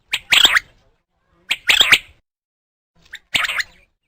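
A sparrow gives three harsh, raspy chirp bursts, each a quick cluster of two or three notes, spaced about two seconds apart, with silence between.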